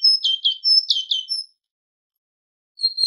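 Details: A tit sings on a goldfinch training recording: a run of high, downslurred whistled notes falling in pitch, repeated several times, then a pause before a brief fainter phrase.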